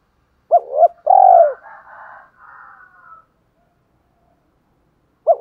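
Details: Captive decoy spotted dove cooing in the morning to lure wild doves: a short two-part hooded coo followed by a long, smooth, falling coo, then faint soft rasping, and another coo beginning at the end.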